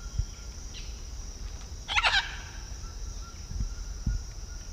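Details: Blue-and-yellow macaw in Peru giving a single harsh, raspy squawk lasting about a third of a second mid-clip, over a steady high insect hum and soft low thumps.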